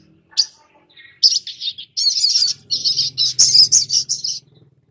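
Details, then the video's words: Long-billed spiderhunter song used to stimulate young captive birds to sing. After a few single chips, a fast, steady string of loud, high, buzzy notes follows, with a low hum underneath. "Pancingan SOGON BAKALAN agar Cepat BUNYI dan GACOR || Pancingan Sogok Ontong agar NGOBRA"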